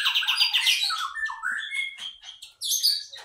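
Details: Bulbul (kapas tembak) lure song: a lively, bubbling, rapid run of rich chattering notes, then brighter rising whistles and sharp high chips, at about four notes a second.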